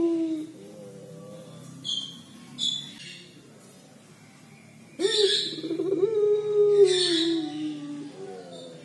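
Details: Collared dove (puter pelung) giving its 'crying' call: a short low coo, a pause with faint high chirps, then from five seconds a long sustained coo with rich overtones that drifts slowly downward.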